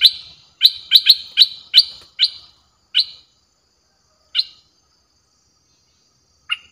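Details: Streak-eared bulbul, harsh-toned sound played to lure wild birds: sharp, clipped single notes fired rapidly at first, then spacing out to isolated notes with long gaps.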